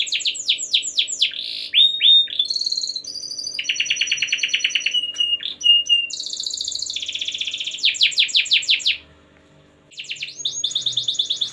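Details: Long gacor canary song played to set other canaries singing: varied phrases of rapid repeated notes, fast buzzy trills, sliding whistles and pure held tones, with a brief silence near the end before the trilling resumes.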